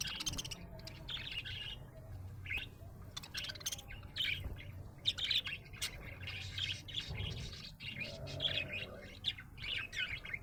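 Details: A happy budgie chirps almost continuously: rapid scratchy twitters, clicks and brief squeaks in uneven bursts, over a steady low hum.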